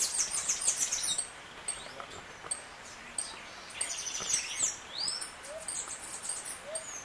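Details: Saffron finch (Sicalis flaveola) in canto estalo song: bursts of very high, sharp chattering notes separated by short pauses, with two soft rising notes late on.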